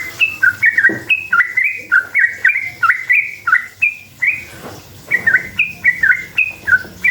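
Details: Yellow-vented bulbul song, used as a lure so other bulbuls answer excitedly: long run of bubbly, slurred whistled phrases, mostly two- and three-note chirps, repeated rapidly about every half second with brief pauses between bursts.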